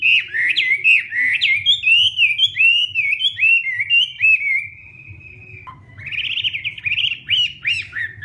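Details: Morning fighting song of a Hwamei in voice training: long chains of rolling, warbled whistles, a short pause with a low downward note, then bright rising phrases resume.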